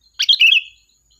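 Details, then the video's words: Sooty-headed bulbul, a lively singer used as a lure to call the flock: one short bright phrase, a quick burst of chirpy notes sliding into a clear whistled tail, on a quiet background. "Suara Burung Kutilang Gacor, Pikat handal memanggil kawanan"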